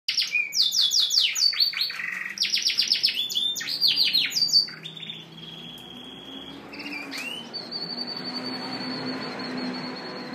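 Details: Male Yorkshire canary singing and dancing to attract a hen: rapid bursts of bright, descending whistled trills and chips for about four seconds, then long steady sustained tones with a faint low hum.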